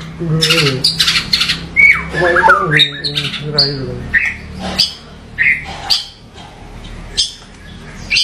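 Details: White-rumped shama delivering rough 'variasi kasar' phrases: harsh, scratchy broadband bursts spaced about a second apart, mixed with a few short whistled notes, over a low hum.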